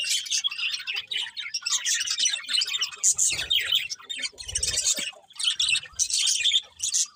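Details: Many birds chirping in the morning, a dense overlapping chatter of high, quick chirps and twitters that runs almost without pause, rising and falling in loudness, with a few faint low thumps underneath.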